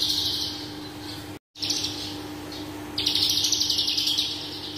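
A bush lark sings a high, busy stream of thin chirps and trills that quickens into rapid repeated notes, about four a second, over a steady low hum.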